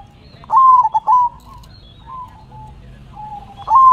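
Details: Head-shaking zebra dove singing manggung: a loud rising coo with rapid stuttered notes, softer level coos afterward, and the loud opening of the next phrase at the end.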